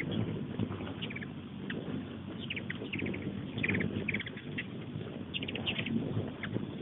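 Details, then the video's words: Hummingbirds mobbing a busy feeder just outside a kitchen window: quick dry chips in small clusters through the middle and end, over a steady low murmur of indoor conversation. "Hummingbirds mobbing feeder"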